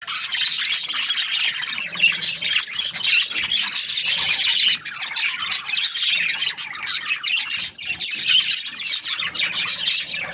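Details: Budgies, several together, chirping in a dense unbroken chatter of quick scratchy high notes and short squawks, many overlapping voices throughout.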